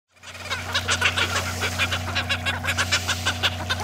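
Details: Cape petrels feeding on krill at the sea surface, squabbling aggressively among themselves; a rapid run of harsh, clucking chatter notes repeated several times a second over a steady low engine hum.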